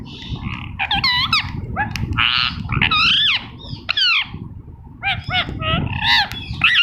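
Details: Green ringneck parrot talking, with a natural sound; a rapid run of squawky, warbling notes with up-and-down whistled sweeps and speech-like chatter, a dense and harsh stream of varied syllables.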